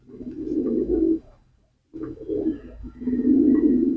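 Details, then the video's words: Pigeon cooing: low, throaty, rolling coos in a sustained burst, a short silence, then two more burbling phrases, the last loudest and most drawn out. "pigeon call and sound effect,কবুতরের ডাক।"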